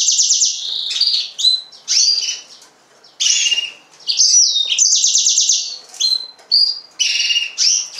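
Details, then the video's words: Yellow-fronted canary, Serinus mozambicus, singing high trilled phrases in separate bursts with short gaps, some notes dropping in pitch. "mozambik kanaryası, green singer, serinus mozambicus"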